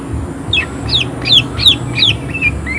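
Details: Greater green leafbird singing vigorously in a harsh, high-energy 'shot' style: a run of about seven sharp, downslurred high notes about a third of a second apart, ending in two softer notes, over a low steady hum.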